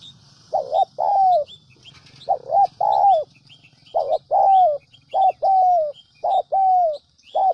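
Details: Lure recording of a spotted dove for attracting wild doves: rhythmic three-part cooing, two quick notes then a long downward-sliding coo, repeated roughly every one and a half seconds, with soft high twittering of small birds and low hum behind.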